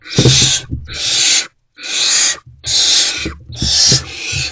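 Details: Barn owls in a nest box between 2:15 and 2:33 am on 28 February 2024, during food deliveries; five long, harsh, noisy screeches with short gaps, plus scattered low bumps and scuffles.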